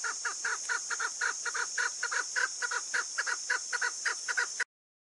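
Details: Female chukar partridge giving a fast series of harsh, clucking notes, roughly four to five per second, steady and unbroken for over four seconds, over a constant high-pitched hiss, then silence.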